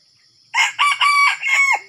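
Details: Red junglefowl crowing in Sumatra during the luring of wild junglefowl with a decoy: one loud, harsh, harmonic crow broken into about four segments over little more than a second, ending in a falling note; steady high insect hiss behind.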